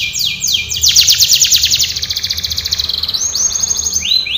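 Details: Canary singing a training song: fast trills of downward-sweeping notes between high pitches, shifting into a dense buzzy rattle, then slower repeated swept phrases near the end.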